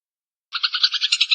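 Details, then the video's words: Eurasian tree sparrow in a recording for tutoring songbirds: after silence, a clear burst of about eight rapid buzzy chirps. "SUARA GEREJA VARIASI"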